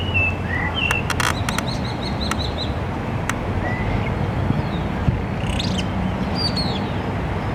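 Spotless Starling song: a varied mix of short whistles, sliding notes, clicks and rattles in no fixed order, over a steady low rumble of wind.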